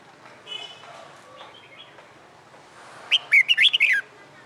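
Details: Red-whiskered bulbul, wild-caught and caged for about a month, in training for fighting song. After a quiet start with faint distant notes, it gives one fast burst of five or six lively whistled notes near the end.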